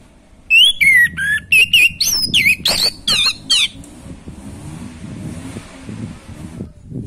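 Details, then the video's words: Orange-headed thrush singing naturally in full voice, used to stir a bird lacking breeding drive: a loud burst of rapid, varied whistled notes, some sliding and warbled, packed into about three seconds, then quiet with low background rumble. "Anis macet kurang birahi auto respon pakai suara video ini"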